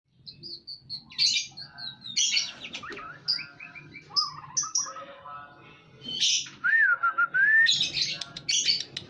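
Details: White-rumped shama in breeding condition delivering a varied song of high whistled notes, buzzy bursts and a long wavering whistle, with a steady low hum behind.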